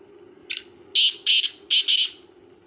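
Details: Black francolin calling: one short harsh note, then four loud grating notes in two pairs, the whole phrase lasting about a second and a half, over a low steady hum.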